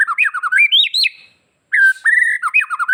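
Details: Bali white-rumped shama singing vigorously with a song full of varied fills, meant to provoke other shamas into replying; quick rising and falling whistles end in a brief silence before a long steady whistle and more tumbling notes.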